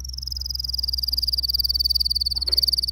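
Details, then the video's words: Canary training song: a rapid, even trill of thin high whistled notes, about fifteen a second, holding one pitch for three seconds over a faint low hum. "Your canary will NEVER STOP SINGING With this training song"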